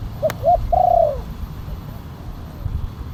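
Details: Kuk 1 style spotted dove call with a big voice, played as a lure for wild doves and as a training master: one phrase of a brief low hoot, an arched coo and a drawn-out falling coo, then quiet.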